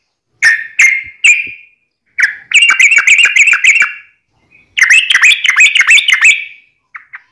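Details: Yellow-vented bulbul (trucukan) in tarung ngalas ropel, a fighting-style wild rapid song: three spaced, ringing notes, then two long, rapid, bubbling chatters separated by a pause, ending with a short faint note.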